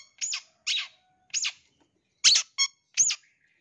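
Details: Lure call of a long-tailed shrike, aimed at young birds taken from the forest, filled with imitated phrases; six rough, grating bursts, roughly one every half second, including a brief ringing harmonic note.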